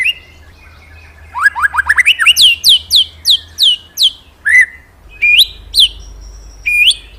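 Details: Murai, the magpie-robin, in full song: a rising staccato series of notes, a string of loud downslurred whistles, then spaced sharp upslurred calls.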